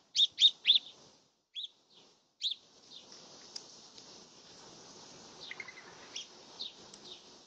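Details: A bird feeding opens with three rapid, loud, high chirps, then scattered single notes and softer, fainter chirping against a faint steady hiss.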